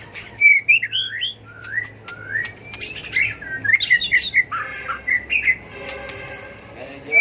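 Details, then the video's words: White-rumped shama in training, delivering a competitive fighting song: looping whistled notes, quick varied warbles and sharp clicks tumbling in fast succession, with a low steady hum beneath. "chòe lửa tạch đuôi hót đấu kích chim cực đỉnh, luyện chim hót đấu hay"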